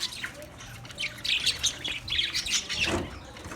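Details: Singing budgie, 14 March 2024: quick series of bright chirps and short whistles bunched into bursts, ending with a slightly lower, rougher squawk.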